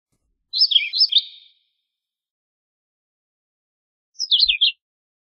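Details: Philadelphia vireo singing two short phrases about three seconds apart, each a quick run of slurred whistled notes that rise and fall, with silence between.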